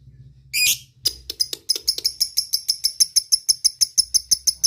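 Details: Lovebird calling companions, ngekek style: one harsh squawk, then a steady string of bright, high chirps repeated about three times a second.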